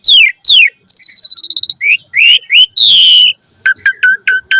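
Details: Training-lure song of an Asian pied starling in full, varied form: sharp falling whistles, a rapid trilled whistle, short rising notes, a long buzzy whistle, then a repeated clipped two-tone note five times.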